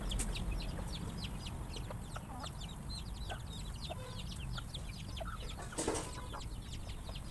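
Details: A crowd of chickens startled by a sudden noise at mealtime gives dense, quick, high peeping calls, with one brief loud broadband crash about two-thirds through and a low background rumble.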